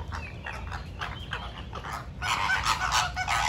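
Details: Pink flamingos in a dancing, squabbling group: a steady chorus of nasal, goose-like honks, several birds overlapping, swelling louder and denser in the last second and a half.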